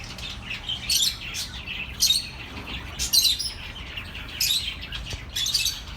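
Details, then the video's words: Bird chatter offered as calming company for lonely pet birds: sharp high chirp clusters repeat roughly once a second, separated by softer twittering, with a quiet low hum underneath. "The best relaxing birds sounds for your lonely birds"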